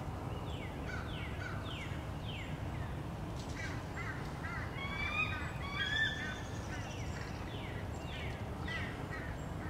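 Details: Many American crows mobbing a male bald eagle as it returns to its nest, recorded 30 March 2016: harsh, falling caws given in quick runs, with thin, clear whistled calls rising over them in the middle and a steady low background hum.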